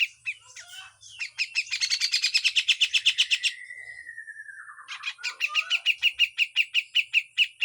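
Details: Full harsh besetan song of a grey-cheeked bulbul, a training recording: scattered notes build into a long fast buzzy chatter, slide down into a drawn whistle, then break into a steady run of sharp repeated chips.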